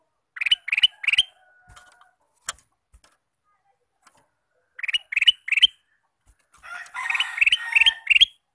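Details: Lure male sooty-headed bulbul for trapping wild birds sings short groups of three bright chirps, repeated after a pause of a few seconds, the last group set against a rougher, noisier background.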